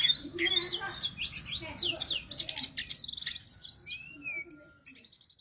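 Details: Lively sulingan gunung song, played as training material for other birds; busy burst of quick whistles and chatter, then slower, softer sliding whistles trailing off toward the end.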